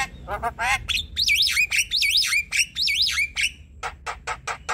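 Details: Chattering ocehan song of a Javan myna, or jalak kebo: harsh buzzy bursts, then a series of looping, sliding whistles repeated about once per half second, ending in rapid dry clicks.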